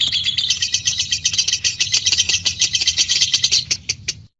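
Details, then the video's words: Lovebird, white-beaked, performing a long ngekek trill: dense, harsh, high chattering pulses that slow slightly before stopping abruptly. "LOVE BIRD ngekek panjang (Paruh Putih)"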